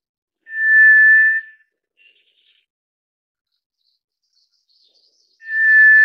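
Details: White's thrush repeating its long, even, pure whistle twice, roughly four and a half seconds apart, with a faint short note between.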